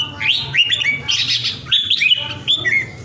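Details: Vietnamese red-whiskered bulbul, kept caged at home, gives a quick series of clear, bright, slurred whistles in its vigorous 'ground airplane' singing, with a soft low hum underneath.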